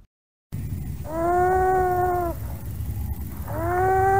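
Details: Long-eared Owl in Idaho, a slender, nocturnal owl that uses stick nests, giving two drawn-out, nasal, wailing calls, each over a second long and slightly rising, over a steady low rumble of background noise.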